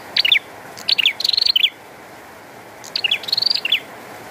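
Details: Two clear song phrases of a bar-winged prinia during rain, each a quick set of squeaky falling notes followed by a rapid trill, separated by a gap of rain noise.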